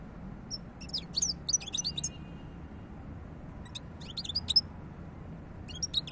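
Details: European goldfinch delivering repeated bursts of quick, high, tinkling chirps and trills, several phrases with brief gaps, against a constant low hum.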